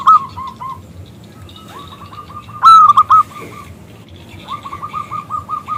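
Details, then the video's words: Local zebra dove with a loud, crystal-clear voice, calling a male to sing. Rapid staccato cooing trills run in short bursts. One louder, higher drawn-out phrase breaks in near the middle, then a long even trill follows at the end. "PERKUTUT lokal Gacor Suara BESAR Kristal Memanggil JANTAN ngajak BUNYI"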